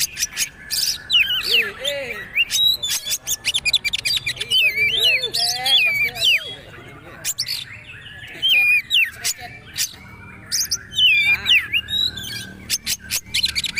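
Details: Caged-bird master of a poci-type Oriental magpie-robin singing trotol style: loud clicks and chips in quick bursts with wavering whistles, some lower warbled notes, and short quiet gaps.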